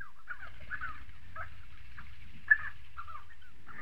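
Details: Spotted sandgrouse in South Morocco, scattered short, throaty calls from several birds, one louder note standing out midway against a quiet low hum.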